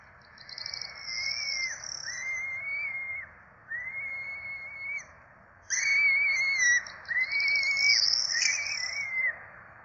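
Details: Four Peregrine falcon chicks clamouring at feeding time on their Rome nest, 12 April 2024: a series of flat, whistled squeals with short pauses, quieter at first, then louder and overlapping as several chicks call together.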